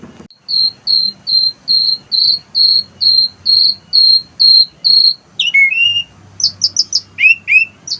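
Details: Asian pied starling kept on a house terrace, singing with copied wild-bird material: a run of ten evenly spaced high whistled notes about every half second, then quick varied downslurred and chattering phrases.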